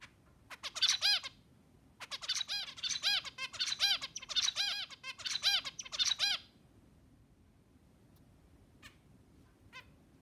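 A zebra finch sings quick bursts of nasal, buzzy notes that sound like a tiny toy trumpet.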